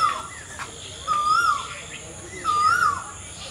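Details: An Asian koel sings two loud, smooth whistled notes about 1.4 seconds apart, each swelling upward and easing down, with an unbroken background hum of insects.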